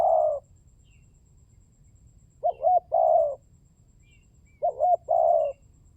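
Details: Spotted dove lure call: a long coo ending a phrase, then two complete phrases of twin short rising notes and a drawn-out purring coo; a few faint high chirps of other birds.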